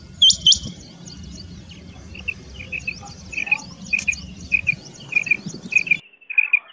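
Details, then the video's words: Common quail call used for hunting: short, clipped, mid-pitched notes in pairs and triplets, repeated about every half second, over thin, high twittering chirps and a low background rumble. "Common Quail sound for hunting | batair ki awaz shikar k leay | بٹیر کی آواز شکار کےلیے"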